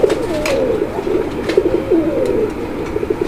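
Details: Moyna Jhak pigeon, male of a jet-black breeding pair kept at a farm in Kaliakair, Gazipur, Bangladesh, May 2025, cooing in deep rolling bursts, some phrases gliding downward, amid low room noise and light tapping.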